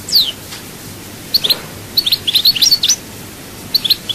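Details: Sparse chaayba-style song from a European goldfinch of Souk Ahras: a falling sharp note, then a clustered run of quick high chirps and twitters in the middle, and a short closing group of chirps.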